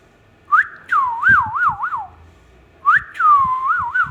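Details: Pet ringneck parrot whistling two clear wavy phrases, each an upward sweep followed by rapid up-and-down warbles, with faint low thumps beneath.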